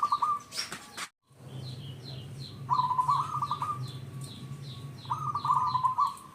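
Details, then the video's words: Local zebra dove singing as a lure for other zebra doves, two long trilled coo phrases after a short silence, with rhythmic high chirps of another bird and a low droning hum behind. "Perkutut lokal gacor sekali dengar semua ikut bunyi"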